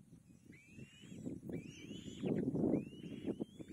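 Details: Young kite fed by its mother, calling as it tries to swallow: three drawn-out whistles that climb, level off and fall away, spaced about a second apart, over a soft low rustle that swells midway.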